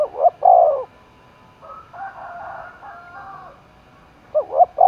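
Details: Spotted dove roused for contest, Đồng Nai, Vietnam. A loud double-note-and-long-coo phrase opens and another closes. In the middle comes a stretch of quieter, wavering low coos.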